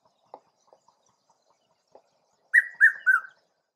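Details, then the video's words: A red-chested cuckoo (Piet-my-vrou), seen calling in Southern Africa, gives its three loud whistled notes, each a little lower than the last, after a few soft ticks and taps. "Piet-my-vrou/Red Chested Cuckoo"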